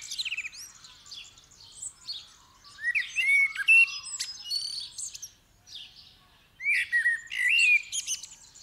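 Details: At first light on 8 December 2019, a blackbird delivers swooping mellow warbles in bursts, interleaved with sharp high chirps and trills from a crowded chorus of other birds.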